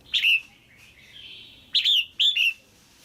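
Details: Female red-whiskered bulbul calling to stimulate a male or to pair: bright slurred chirps, one then two in quick succession, joined by a soft drawn-out warble.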